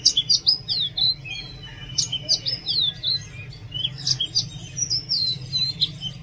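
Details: Oriental magpie-robin song in busy, varied phrases of high whistles, quick slurs and chirps, broken by short gaps, over a constant low droning hum.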